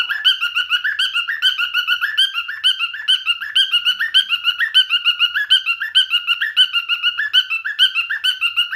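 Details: Male cockatiel singing, a pet bird: a fast, steady run of whistled, chirping notes, about two per second, repeated without pause for the whole stretch.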